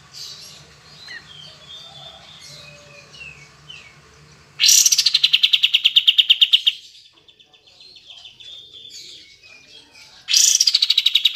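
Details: Kapas tembak bulbul, a recording meant to stir silent birds into song: background chirping and twittering, then two loud machine-gun-like bursts of rapid, evenly spaced sharp notes, each around two seconds, separated by quieter twitters.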